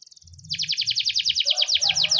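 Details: In this morning training song a Spanish timbrado canary delivers a soft pulsed phrase then a strong series of rapid, ringing downward notes, evenly repeated; faint low hum throughout.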